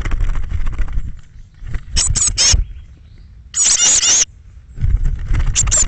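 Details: Thirteen young Eurasian blue tits departing their nest box one May 2017 morning between 06:00 and 08:00; a triple burst of shrill buzzy notes, then one longer harsh churring call, amid scratching and low scuffling noise.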